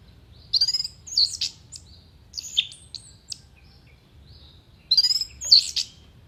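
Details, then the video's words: Orange-headed thrush singing a mimicry-filled contest song with sharp, clear notes: three bursts of high twittering and whistled phrases, with short downslurred whistles between and quiet pauses. "MASTERAN ANIS MERAH GACOR FULL ISIAN TEMBAKAN TAJAM VOKAL JERNIH DURASI PANJANG ISIAN BURUNG LOMBA"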